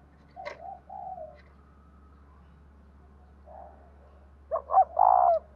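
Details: Spotted dove of the 'giọng đồng thổ' song style, a cage bird. Faint low coos and a click early on, then one loud phrase near the end with two quick notes and a long coo, over a steady low hum.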